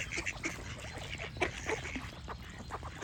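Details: Clear nasal duck quacks, a handful of distinct loud calls early on followed by softer overlapping chatter from other ducks, low steady background noise.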